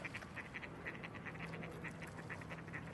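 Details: Coots jumping into the water for a swim, giving short, nasal clipped notes in quick irregular runs, several per second, over a steady low hum and background noise.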